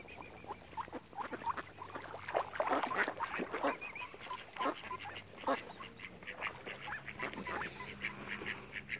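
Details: Flock of ducks crowding around a swan family on Lough Neagh at Oxford Island, Ireland; dense, overlapping harsh quacks and nasal calls, loudest in the middle, with occasional thin tonal whistles from other birds.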